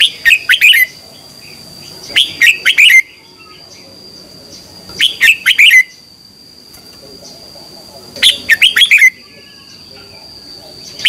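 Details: A kept red-whiskered bulbul sings in the morning, used as training song for other bulbuls: short, bubbly whistled phrases in bursts about every three seconds over a thin, steady high-pitched whine.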